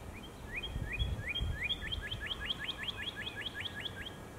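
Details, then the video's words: Northern Cardinal song starting with a few slower slurred whistles that speed into a quick steady series of upward-sweeping notes, with some low rumbling noise early on. "Northern Cardinal Singing"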